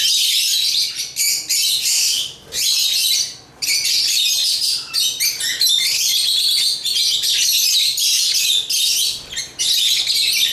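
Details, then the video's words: Busy, shrill chatter of African lovebirds, rapid high squeaks and twittering notes in closely packed bursts with short dips in between. "African Love birds Agapornis chirps singing sounds"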